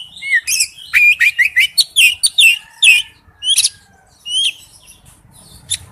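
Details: Male oriental magpie-robin calling to a female: bright whistled notes and sweeping chirps in quick runs, some rising, with brief pauses and a softer tail of scattered notes.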